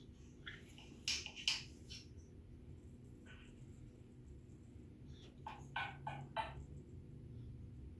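A grey parrot gives short, harsh squawks and clipped whistles in scattered bursts, over a steady low hum.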